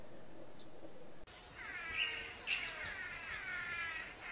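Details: Blue manakin calling during a mating ritual in forest. After a quiet start, buzzy, nasal, harmonic-rich notes begin and swell, with two louder accents, over low background hiss.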